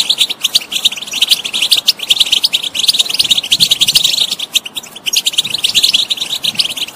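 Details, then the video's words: European goldfinch song to make a silent bird sing: long, rapid flow of bright twitters and rattling trills with a couple of brief pauses. "saka kuşu huylandırma بتبتة بتجنن طائر الحسون إن كان الطائر لا يغني جرب وحكم"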